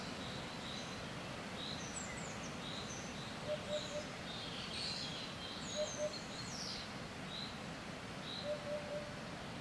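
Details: Eurasian hoopoe (Upupa epops) calling during a chance encounter, with wind affecting the sound. It gives soft, low hollow 'oop-oop-oop' notes in short groups every two to three seconds, over background hiss and higher chirps from other birds.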